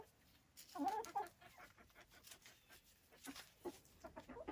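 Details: Silkie chickens at a Vermont hill farmstead giving a burst of nasal, rising clucks around the first second, then quieter intermittent clucks and chatter over a steady faint hiss.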